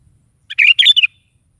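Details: Sooty-headed bulbul singing energetically in the morning, one brisk phrase: a short pick-up note followed by rolling, gurgling whistles ending in a downslurred note.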